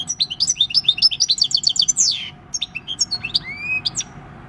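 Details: Six-year-old wild-type European goldfinch singing a field-style song, recorded 26 December 2019: fast tinkling runs of high twittering notes, then a pause and scattered chirps with a rising whistled slur.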